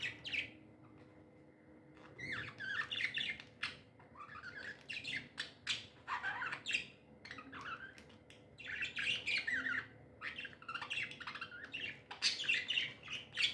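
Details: Happy pet budgies chirping and squawking, a brief pause followed by a dense, continuous stream of scratchy chatter, clicks and rising squeaks lasting several seconds.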